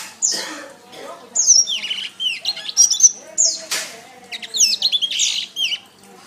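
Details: Canary singing as training material for songbirds: varied high whistled notes, sharp falling sweeps and trilled bursts, with several fast rattling phrases near the end.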